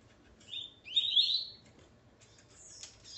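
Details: Coleiro male alongside his female: one brief, bright phrase of rising notes, followed by a soft rustle and a faint higher call in a quiet room.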